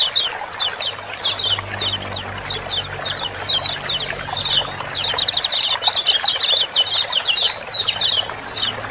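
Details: Rapid ciak-ciak chatter of kecial kuning, the lemon-bellied white-eye, played to prompt reluctant birds into song. Bright, clipped chirps come in quick clusters that grow denser midway, with running water murmuring behind.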